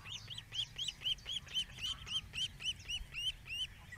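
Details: Osprey father attending the nest, caught by a webcam, gives a long run of clear, arched whistled notes. About fourteen notes come at a fast, even pace of roughly three to four per second over a faint low hum.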